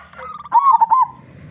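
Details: Big-voiced local zebra dove meant as a lure for other doves. A single short phrase of wavering, bubbling coos over faint low background noise.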